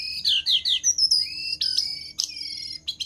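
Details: Energetic Jongkangan song used to tutor other birds: a run of quick downward-slurred whistles, then a sustained thin high note broken by sharp chips and short clicks.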